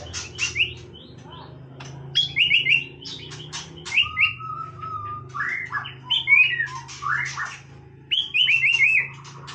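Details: White-rumped shama singing casually, with crisp sharp notes, a long level whistle and descending stuttered slurs, spaced by pauses, over a low constant hum.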